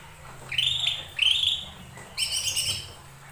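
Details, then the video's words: Lesser green leafbird song meant to provoke other birds to sing: two sliding whistled phrases, then a burst of bright, overtone-rich chattering notes. "Pancingan burung cucak ijo mini"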